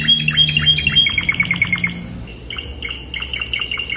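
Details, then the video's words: Spanish Timbrado canary singing classic song for tutoring young birds: paired chirps, then a fast run of metallic notes, followed by steady repeated double notes after a short pause. "CANTO CLÁSSICO de TIMBRADO ESPANHOL para ENCARTE de FILHOTES"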